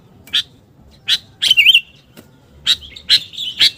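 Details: Lure recording of a sooty-headed bulbul: a few isolated sharp chirps, a brief wavering warble in the middle, then quicker chirps joined by thin sustained notes.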